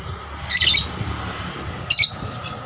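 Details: Lovebird used as a singing lure for other lovebirds, giving two short, harsh, high squawks about a second and a half apart against steady background hum.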